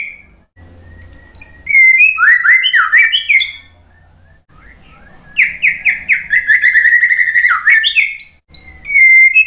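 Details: White-rumped shama song used to prompt a stressed, silent bird to sing: two long bursts of varied, rich whistled phrases with rapid up-and-down slurs, separated by a short pause.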